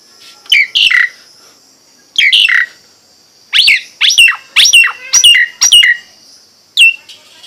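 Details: Nias hill myna song: loud, clear whistled notes sliding sharply downward, given in bursts with short gaps, a faint steady high tone behind.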